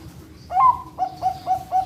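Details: Captive Bangkok-line zebra dove from a bird farm in Pasuruan, East Java, Indonesia: a drawn-out rising, then level opening coo, followed by four short, crisp cooing notes in quick succession.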